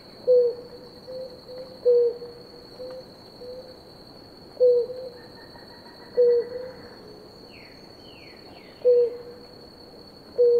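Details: Pair of blue ground doves drinking water: short low single coos, each dropping slightly at the end, repeated at uneven one-and-a-half to two-and-a-half second gaps, over a steady high whine and a few brief higher chirps.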